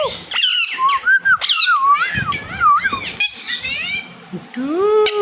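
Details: Indian ringneck parakeet mimicking speech indoors: squeaky, speech-like syllables followed by a wavering whistle that rises and falls, then short harmonic squawks and a final sliding tone, with clicks between phrases.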